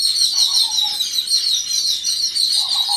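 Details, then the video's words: A group of Yellow-billed Babblers reacting together to an unidentified threat keeps up a harsh, high, chattering alarm chorus, many birds calling at once, with a few lower nasal notes breaking through. "Yellow-billed Babblers reaction against un-identified threat - සතුරෙක් හමුවේ දෙමලිච්චන්ගේ එකමුතුව"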